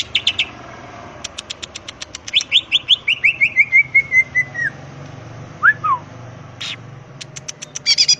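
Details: Wild greater green leafbird song used to provoke rival birds: bursts of clicks, a long series of downslurred chirps falling in pitch, a few slurred whistles, over a low steady hum.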